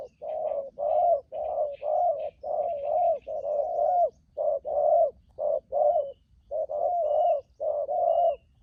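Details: Wild-caught spotted dove, prized for luring in the wild, pouring out a long rapid series of deep hollow coos, short and long notes alternating almost without pause, with faint high chirps from other birds.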